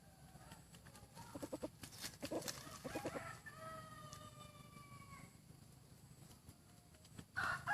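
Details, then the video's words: Rooster crowing, praised for its fine voice; after some scattered knocks and rustles, a drawn-out harmonic crow with a gently falling tail runs about a second and a half, set against steady low background hum. "ไก่ต่อเสียงดีมากๆและสวยงามมาก. Beautiful chicken. 아름다운 치킨.(Qaib dib zoo nraug thiab qua zoo heev)"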